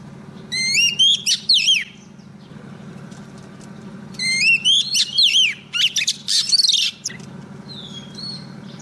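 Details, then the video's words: Lure female Oriental magpie-robin calling a male: two bursts of varied whistles, swooping notes and harsh chips, with a steady low background hum and a faint high note near the end. "Choè than mái mồi hót gọi trống cực hay"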